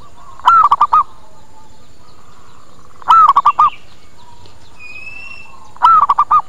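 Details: Lure call of a zebra dove used to attract other doves to come and reply; three bursts, each a rising-falling coo followed by quick short coo notes, spaced about two and a half seconds apart, a thin whistle from another bird between.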